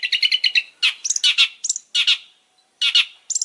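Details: Long-tailed shrike in full, lively song: a rapid chattering run of notes, then loud raspy bursts separated by brief gaps, finishing with thin, high clipped notes.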